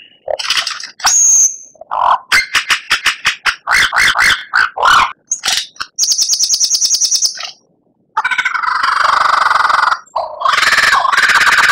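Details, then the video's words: Oriental magpie-robin training recording for captive birds, a long varied song: rapid clicking trills, a high whistle, a buzzy rattle, then dense harsh chattering phrases. "Masteran Murai Batu Gacor Paling Dicari Kicaumania"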